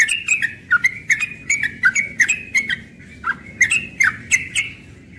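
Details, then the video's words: Morning ropel song from a young yellow-vented bulbul: quick, evenly spaced chattering notes, each with a sharp click. There are about fifteen notes in five seconds, with a brief gap midway, over faint background hum. "Trucukan muda ropel pagi"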